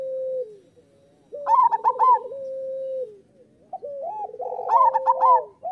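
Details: Lively local zebra dove song meant to stir quiet or moulting doves into singing: a long level coo, then a loud bubbling trilled phrase, more purring coos and a second loud trilled burst near the end.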